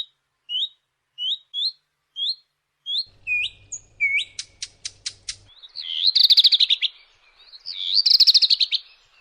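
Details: Redstart giving a run of short upslurred whistled notes about every half second, then a burst of sharp clicking ticks, followed by rapid buzzy trilled phrases around high pitch, repeated twice.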